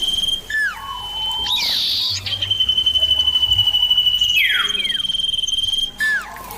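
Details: Clear, loud common iora song in a back-and-forth exchange. Brief falling slurs open, then a very long level whistle held for nearly three seconds that ends by sweeping steeply downward, followed by another short falling note.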